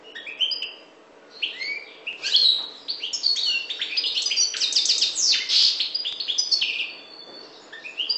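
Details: Goldfinch song (parva, Maghreb) opening with scattered sharp chirps, then building into a loud, rapid cascade of tinkling and buzzy notes before trailing off into sparse twitters.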